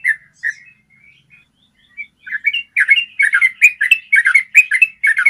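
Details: Yellow-vented bulbul song in the long 'ropel' style, a clear-voiced master recording for training caged birds. A few sparse chirps grow into dense rapid chattering phrases of bubbly, slurred notes, about two per second, with no other sounds.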